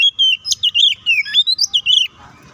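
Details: Short phrase from an Oriental magpie-robin's provocative fighting song: about ten clear whistled notes, some swooping up or down, delivered quickly and evenly before stopping abruptly.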